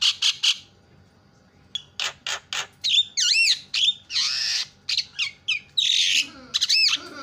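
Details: Javan myna (jalak kebo) with a loud, varied song: triple harsh bursts, then looping whistled slurs, buzzy wheezes and rasping notes closing with a bright squeal.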